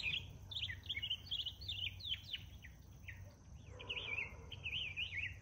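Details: Northern mockingbird in morning song, delivering fast varied zigzag warbles and chirps in a continuous run, phrases repeated a few times before switching, with a constant low background hum.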